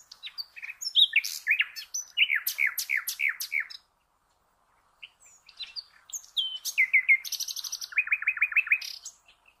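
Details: Common nightingale song intended for training cage birds: rapid series of repeated downslurred notes and sharp high clicks, a clear silent gap, then a buzzy high rattle and a fast run of pulsing repeated notes.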